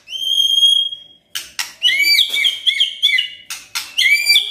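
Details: White-rumped shama in kretekan and tembakan style: a long pure high whistle is followed by a rapid run of harsh crackling bursts mixed with overlapping whistled notes.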